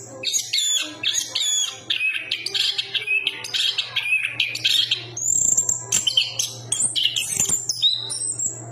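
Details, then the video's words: Chestnut-capped thrush (Geokichla interpres), a songbird of Southeast Asian forests, singing a rich, varied run of loud whistles, chattering trills and sharp high notes in quick bursts, with a steady low hum beneath. "Burung Anis kembang berkicau"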